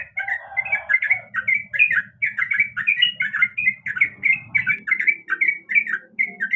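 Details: A female yellow-vented bulbul calls the male: lively, bubbling chirps repeated in quick succession, with a soft low rumbling noise underneath throughout.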